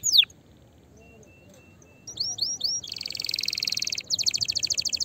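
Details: Canary song used to stimulate other canaries to sing, said to prepare for mating: after two seconds of near silence, rising chirps lead into a dense high buzzy trill, then a series of rapid repeated notes.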